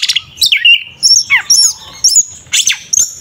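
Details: Oriental magpie-robin, known as kacer, in a tarung ngeplong fighting song used to rile rivals; loud high whistles and sharp downward-sliding notes delivered in quick separate bursts.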